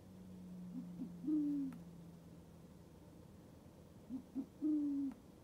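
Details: A captive Northern white-faced owl gives a territorial call after another owl took over its spot: two low hooting phrases, each two quick short notes and then a longer, slightly falling hoot, against a steady low hum.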